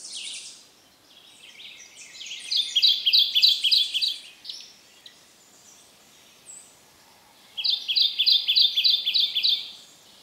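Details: Male Kentucky Warbler, an understory bird, sings on a cold, drizzly, breezy morning at Land Between the Lakes, Kentucky, 2010: two rolling bursts of six or seven rich two-note phrases, with faint other birds between them.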